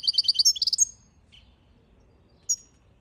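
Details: Goldfinch singing a fast run of high, clear twittering notes for under a second, followed by a lone sharp chip and a brief high note.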